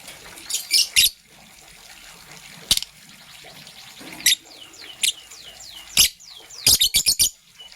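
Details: Green and blue lovebirds chirping in the morning: scattered sharp, high chirps in short clusters and single notes, with faint, thin descending whistles between them and a rapid run of chirps near the end.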